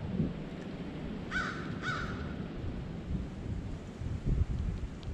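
White-breasted nuthatch giving two nasal, harsh 'yank' notes about half a second apart, over a steady low rumble of wind or distant thunder.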